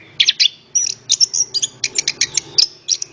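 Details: Orange-headed thrush song played to stir other birds into singing: a quick series of high, sharp chirps and short whistles in clipped bursts about every quarter second, with faint low background hum.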